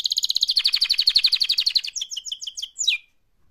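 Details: Canary in active mating song, delivering a quick rolling trill of repeated buzzy notes that speeds and rises into a string of sharp downslurred whistles ending on one falling note.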